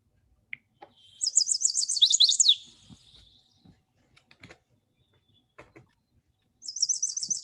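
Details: Chestnut-sided warbler (Setophaga pensylvanica), song.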